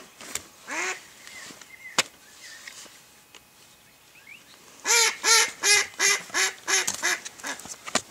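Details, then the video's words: Mallard hen used to lure ducks while hunting: a few scattered quacks and faint chirps, then a rapid run of about nine loud, raspy quacks in steady rhythm, several each second. "Ducks hunting by mallard Hen"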